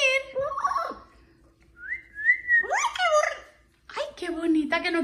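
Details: Pet parrot crying in a tantrum because it does not want to sleep: nasal, wavering harmonic cries, a rising whistled note near the middle, then harsher descending squawks; a woman speaks softly nearby.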